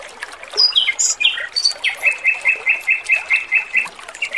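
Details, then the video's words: Male robin in full song on a training recording with trickling water: scattered sliding whistles, then a steady run of about a dozen repeated chirping notes with a high thin overtone. "MASTERAN BURUNG ROBIN JANTAN GACOR, SUARA MERDU DAN JERNIH"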